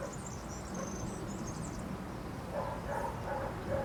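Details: Branch-perched European serin at Zamudio, Bizkaia, 2 June 2019, giving a quick high, glittering trill for about two seconds, after which lower, repeated mid-pitched notes take over against a soft low background rumble.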